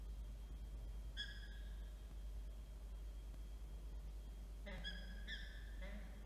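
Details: Peregrine falcon at a nest in Orange, New South Wales, on 14 September 2024, during a changeover where one bird would not give way. Short harmonic calls come once near the start, then a cluster of three later, over a steady background hum.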